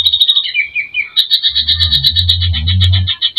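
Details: Lure recording of a greater green leafbird singing with mimicry to provoke emotion: a quick high rattle, a short whistled descent, then a fast steady high trill over a continuous low rumbling hum.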